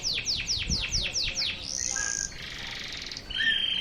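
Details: Local canary, pure local stock, in a sharp volley style song: a run of fast descending swept notes, then a long high buzzy trill and a lower rattling trill.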